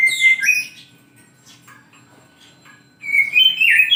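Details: Morning singing of a kacer, or oriental magpie-robin: a bright whistled phrase, a quiet gap with faint soft chips, then another rich burst of high whistles.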